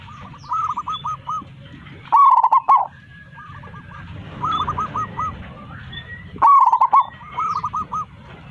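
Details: Local zebra dove calling its flock in full voice: repeated phrases of rapid, arched coos, some loud and clipped, others softer, recurring every couple of seconds over a low background hum.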